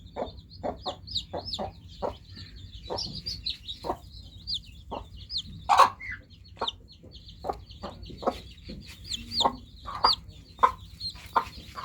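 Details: Newly hatched chicken chicks chirp in repeated high, sliding peeps from several birds at once, accompanied by scattered sharp clicks and a couple of louder bursts.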